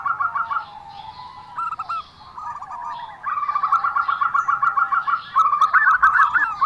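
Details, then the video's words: Unusual call of a zebra dove, a quick series of staccato, bubbling coos strung into trills, growing steadier and louder in the second half. "perkutut suara aneh"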